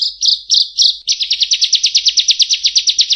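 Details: Bar-winged prinia giving a few drawn-out buzzy high notes that break into a fast trill of sharp chips, about six per second, each slightly rising.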